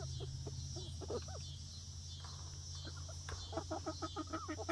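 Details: New flock of young laying hens on day one in their outdoor run; busy overlapping clucks and short rising notes from several birds, quickening toward the end, over a low steady hum.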